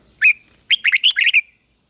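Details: A caged decoy red-whiskered bulbul sings to call rivals to fight, giving one clear note, then a fast tumbling phrase of five or six bright whistles ending in a drawn-out tone.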